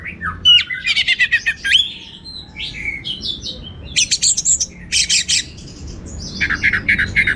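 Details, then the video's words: Orange-headed thrush in vigorous teler-style song full of varied material: rapid, harsh, buzzy bursts and chattering notes alternate with short whistles, delivered in quick clusters separated by brief gaps. "Suara Gacor Burung Anis Merah Teler Materi Melimpah"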